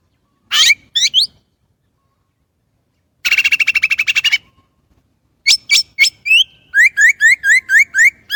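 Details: Chinese blackbird giving a loud sharp note pair, a long fast rattling trill lasting about a second, then a lively string of bright whistled and sliding notes repeated several times per second.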